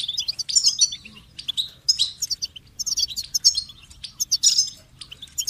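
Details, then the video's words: Singing goldfinch giving lively bursts of sharp, high chirps and rolling trills, each burst about a second long and separated by short gaps. "Amplifying the Goldfinch's Voice"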